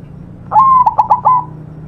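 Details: A single phrase from a white zebra dove in active song: a clear level coo that breaks into three fast stuttered pulses and closes with a longer steady note, recorded for tutoring young birds.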